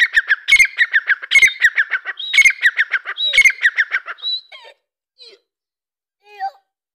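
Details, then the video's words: Dakkni partridge, young Irani partridges also present: four loud, harsh, rattling squawk phrases about a second apart. The calling then stops, leaving a few thin, faint chirps in near silence. "Dakkni Teetar ki Awaz"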